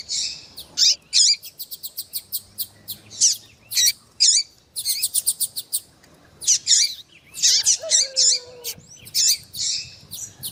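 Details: High, rapid piping chirps from a female Double-collared Seedeater calling to excite a male. The notes come in quick runs, with louder twittering bursts and a faint lower whistled phrase near the end.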